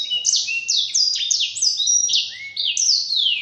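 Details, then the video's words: Black-throated canary delivering a training song for caged birds, with repeated high downslurred notes roughly every quarter second and a low rising whistle near the end. "Masteran Burung Blacktroat"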